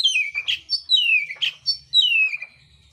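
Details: Mintal oriental magpie-robin delivering contest song with rough filler: three long descending whistled slurs, each broken by a harsh burry note, repeated about every second.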